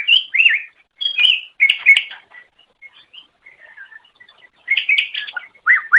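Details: Greater green leafbird song for training captive songbirds: loud slurred whistles and chips, a quiet stretch of soft twitters, then renewed rapid high warbling with downward-sweeping notes.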